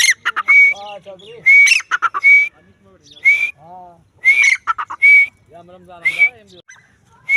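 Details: Female grey francolin, the Dakhni teetar, gives sharp rising whistled notes, often two or three close together, set among bursts of harsh clicking and lower nasal harmonic calls. The groups come irregularly about every second in quiet surroundings.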